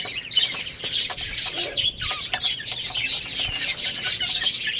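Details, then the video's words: Baby chickens playing and eating call in a loud, busy chorus of piercing high peeps and downslurred chirps, tightly overlapping, with occasional soft scuffing sounds. "Cute Little Chicks Chirping Sounds | Baby Chicken Playing and Eating"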